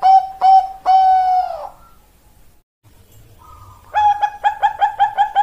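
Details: Bangkok-type perkutut (zebra dove) song with two short coos and one long note that trails off downward, then silence and a fast rolling series of about eight clipped notes.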